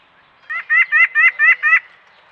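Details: White-breasted Nuthatch at a backyard peanut feeder, caught on a trail camera, giving its typical call: a quick series of six nasal, even-pitched 'yank' notes, about four or five a second.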